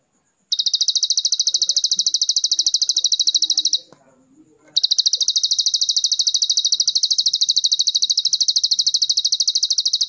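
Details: Plain Prinia (prenjak sawah) giving a full Cililin-style song: a high, dry, buzzing trill of rapid even pulses, broken by a one-second pause before resuming; faint low sounds underneath.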